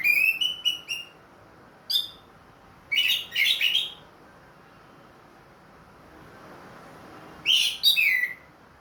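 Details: Orange-headed thrush of Ring Kresek type, caged and singing again after moulting: a run of short whistled notes, a single chip, then two dense bursts of rich warbling, a long silence, and a final sliding phrase.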